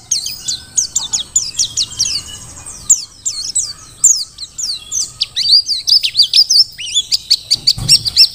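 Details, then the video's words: Mountain white-eye, Merapi dakun type, singing vigorously as a tutor recording for training other birds: dense, very high twittering of rapid slurred chirps and short trills, nearly continuous, with quick rising and falling notes. "Pleci Dakun Merapi Ngalas super gacor"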